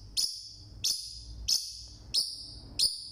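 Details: One Forpus parrotlet kept as a pet, calling loudly alone: five sharp, high, clipped chirps at a steady pace of roughly one every two-thirds of a second, faint low hum beneath.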